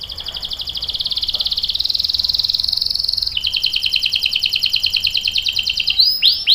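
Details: Canary singing energetically with a long roll, for luring and tutoring young birds; an extended rolling buzzy trill that drops in pitch midway, ending in loud swooping notes.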